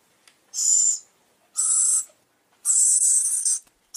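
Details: Three harsh, rasping owl screeches, each lasting about half to one second, with short silences between them; this kind of owl sound is used to attract birds.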